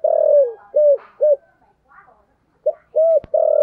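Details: Low, resonant coos from a spotted dove with the 'thổ sấm' voice during 'thúc gù' cooing: a long falling note, then clipped short hoots, a pause, and more coos with one sharp click.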